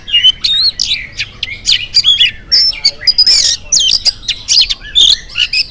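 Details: Oriental magpie-robin song in the morning, used as a lure to prompt other birds to answer: loud varied whistles, squeaky slurred notes and harsh chips in quick irregular bursts.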